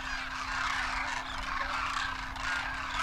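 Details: Wild Demoiselle Cranes, adults with first-year juveniles on their first winter, in a huge flock in Rajasthan, India, taking off and calling in flight; a dense, continuous cacophony of overlapping rolling trumpeting calls with a steady hum beneath.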